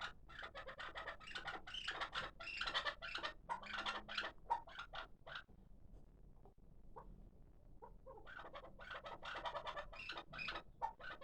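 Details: Hybrid kabk partridge, six months old, kept as a calling bird: bursts of rapid, harsh chattering notes, a brief quieter pause in the middle, then the rapid chatter resumes.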